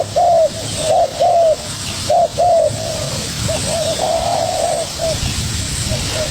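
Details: Young spotted dove competing with a decoy bird: loud, crisp short-and-long coos in the first half, then fainter, softer cooing trails off amid background hiss.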